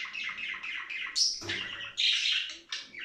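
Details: Budgerigars singing to spur breeding and play, a rough, continuous chatter with a high squeal early on and a loud harsh burst toward the end.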